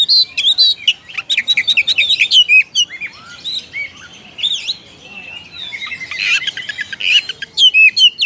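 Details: Calling out a rival, an oriental magpie-robin pours out rapid high whistles and chattering trills, pauses briefly midway, then resumes with a fresh volley of sharp repeated notes.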